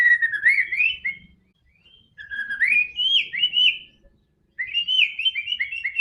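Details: White-rumped shama, song played to get a quiet bird singing: clear whistled phrases that rise and wobble, given in three bursts separated by short silences, with faint low background rumble.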